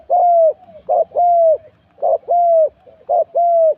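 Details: Cooing of a spotted dove in a decoy-luring session: three clean phrases, each a short throaty note then a long, even, gently downward coo, spaced roughly a second apart in a quiet setting.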